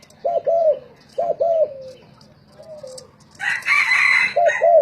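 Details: Spotted doves in a singing contest, kept as decoy birds: low, hollow paired coos rising then sagging, repeated in short phrases, with a harsh, noisy crow-like burst from another bird partway through.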